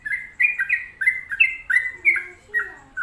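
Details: Sooty-headed bulbul in vigorous 'gacor' song, pouring out linked whistled notes that step between two pitch levels, briefly pausing near the end, over quiet low background noise.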